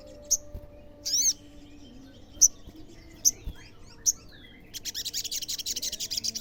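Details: Olive-backed sunbird (local name sogon) singing to provoke other sunbirds into answering: sharp, very high single chirps spaced about a second apart, then a fast, buzzy run of rapid notes to the end.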